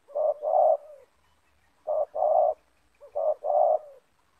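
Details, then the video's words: Banggo-type spotted doves, a captive decoy facing a loud wild bird in a yard during luring. Three deep, mellow two-note coos, a short note then a longer one, each phrase about a second and a half apart, in a quiet setting. "Spotted Dove - Banggo VS Banggo bertemu di laman"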